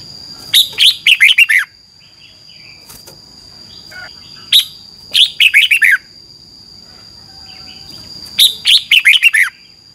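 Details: Thai Red-whiskered bulbul giving 'phleng boen' training song: three bright phrases of four to six quick, falling, warbled notes every few seconds, a single note between, and a constant high whine behind.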